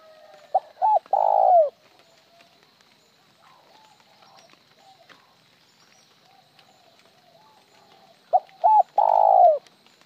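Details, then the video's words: Two spotted dove coo phrases about seven seconds apart, each a short note, a double note and a long rolling downslurred coo, separated by near silence. "Tiếng chim cu gáy gọi một hậu lỡ , lúc một hậu lúc trơn"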